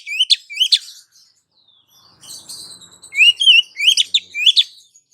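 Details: Female Oriental magpie-robin calling to a male, used as a lure: two rising whistles with chips, a quiet gap with soft notes, then a fast run of upslurred whistles and chips.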